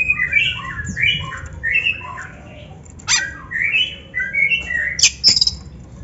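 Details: Oriental magpie-robin (kacer) in full, lively 'gacor' song, used as a master recording to train other kacer to sing: varied clear whistles and slurred notes with a few sharp chips, delivered in quick bursts with short pauses.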